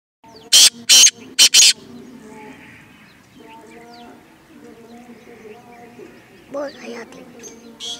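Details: Francolin in a village setting giving four loud, harsh, grating notes in quick succession, then falling quiet. Faint voices and a low hum sit underneath, with a few softer chirps later.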